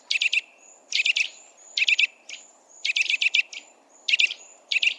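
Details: Eurasian nuthatch (Sitta europaea) in the wild, repeating short bursts of three or four loud, sharp piping notes about every second. Thin, drawn-out high whistles fall between the bursts.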